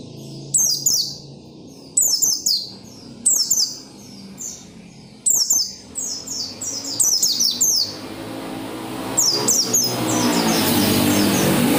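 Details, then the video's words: Oriental white-eye singing persistently to prompt other white-eyes into song: short bursts of high, rapid, downward-sliding chirps repeated about every 1.5 seconds, ending under a rising steady hiss. "SUARA PELECI GACOR NGOTOT BIKIN PELECI LAIN RAJIN BUNYI BUKA PARUH"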